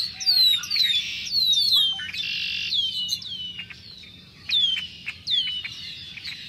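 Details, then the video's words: Red-winged Blackbirds in a big spring flock, early March 2010, calling and singing: repeated high downslurred whistles over bursts of harsh, buzzy chorus, with quieter gaps between loud outbursts. "Sounds of Spring (Noisy Red-winged Blackbirds)"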